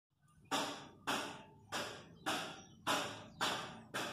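Seven loud, evenly spaced thumps, about one every 0.6 seconds, each a broad burst that fades quickly, like something bouncing in a small room, with no animal voice heard.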